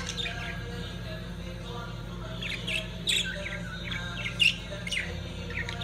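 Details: Lovebirds during mating give scattered short, high chirps, isolated at first and then in small clusters. A couple of the notes are sharper and louder, and a steady low hum runs underneath.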